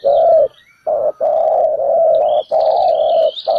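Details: Ground decoy spotted dove calling to draw birds into a trap. Low, drawn-out hoarse coos run almost unbroken with only brief gaps, while thin high twitters of other small birds sound faintly above.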